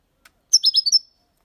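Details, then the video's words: Young European goldfinch, six months old, singing Malaga copy style: a single short phrase of four or five rapid, high liquid twitters after a faint tick, then quiet. "Jilguero cantando Limpio 6 meses/ chardonneret chante la copia Malaga / Goldfinch singing"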